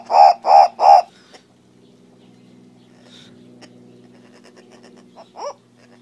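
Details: Green turaco (Tauraco persa): three rapid, harsh, croaking notes open the recording, followed by a long quiet stretch of faint background hum, with one short rising note near the end.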